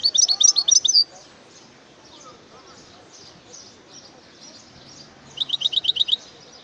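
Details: Two short bursts of bright, fast goldfinch twitters, one at the start and one near the end, separated by several seconds of quieter, softer chatter.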